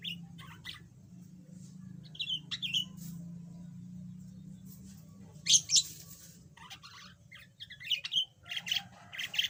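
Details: Yellow budgerigar, a formerly mute pet now beginning to chatter, producing sparse squeaks and scratchy chirps, with louder harsh bursts near the end, over a constant low hum.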